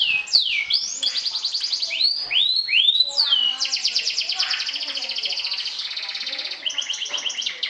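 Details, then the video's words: Kenari sobek canary, a champion trilling to provoke rivals: loud descending and curved whistled sweeps, then long dense buzzy trills rolling at an even pace until the end. "SUARA KENARI SOBEK SOBEK JUARA NGETRIL TAKLUKAN LAWAN, PANCING EMOSI!!!"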